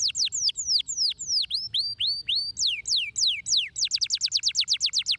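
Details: Canary song played to stimulate other canaries to sing. It is made of fast, repeated tours of high, sharply descending whistled sweeps. Slower, looping notes give way to a rapid trill of about four notes per second.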